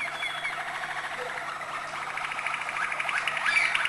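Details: Malinois canary singing high, acute notes: a long, fast, even rolled trill runs through the whole stretch and swells slightly louder toward the end, with a faint steady hum underneath.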